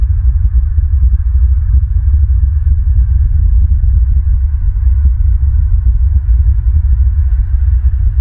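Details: Loud, deep throbbing rumble with rapid low pulses and no animal sound.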